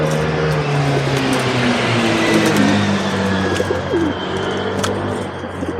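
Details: Feral pigeons feeding and fighting at a balcony bird table, recorded on a small action camera: low, soft cooing phrases that slide down and waver, several overlapping, over a constant broadband rustling hiss.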